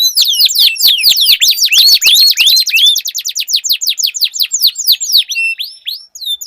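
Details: Canary song duel with long rolls: loud rapid series of falling whistled notes, some longer rising slurs, then a fast even trill of short notes to the end.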